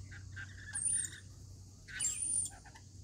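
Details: Rainbow lorikeets at a daily feeding, giving short harsh chattering calls in two bursts about a second apart, with a steady low hum underneath.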